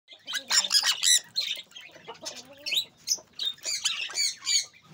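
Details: Several captive sun conures, described as healthy and active, give harsh, piercing squawks in quick irregular bursts, calling over one another with faint background chatter.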